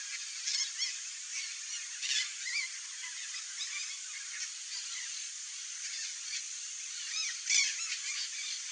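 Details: Nesting pair of red-bellied macaws uttering harsh, grating squawks in irregular bursts, with one louder screech near the end.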